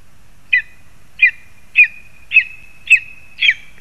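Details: Lesser spotted eagle in a spruce in Zemgale, Latvia, calling while a frog is delivered for the young. A string of six or seven short, high, yelping notes repeats steadily about twice per second over a quiet background.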